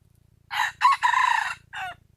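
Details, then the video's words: Wild junglefowl, crowing in a recording meant to draw birds close: one full crow of roughly one and a half seconds, harsh and buzzy, rising at its second note and ending in a brief downward-sliding note, faint low background hum. "suab qaib qus"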